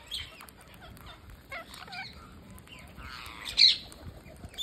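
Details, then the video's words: Parakeet at feeding, with soft scratchy calls and short wavering notes, then a louder raspy squawk burst toward the end, in a fairly quiet setting. "Parakeet Feeding"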